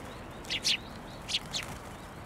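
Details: Sparrows crowding onto a narrow post to be fed at a Tenmangu shrine on 22 January 2024 give short, harsh high chirps in two pairs, roughly a second apart, against faint steady background noise.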